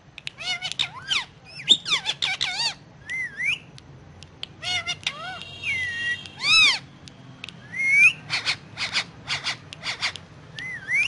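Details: Talking Indian ringneck parakeet on pillows, speaking Urdu/Hindi: loud, rapid chains of nasal, speech-like syllables, sharp squawky bursts and several rising whistled phrases, almost continuous throughout.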